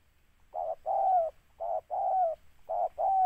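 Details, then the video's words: Close, loud spotted dove cooing during a bird-trapping outing, three rounds of a short note followed by a drawn-out, slightly falling coo, each round a little over a second apart. "TEKUKUR PR"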